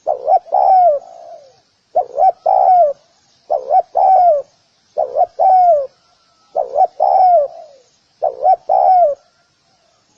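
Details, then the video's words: Long series from a spotted dove calling to bring in wild doves: six rhythmic phrases about every 1.6 seconds, each a quick double coo followed by a drawn, descending coo. "Tiếng cu gáy gù kích bổi nhanh nổi"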